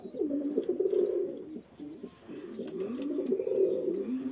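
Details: Frillback pigeon, a domestic pigeon breed in India, giving low, rolling coos in two long bouts with a brief lull in the middle; short high chirps from other birds repeat faintly above.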